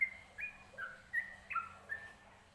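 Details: Brief stretch of yellow-vented bulbul song from a training recording: about six clear, liquid whistled notes, alternately stepping up and down, delivered in quick succession over a steady faint low hum.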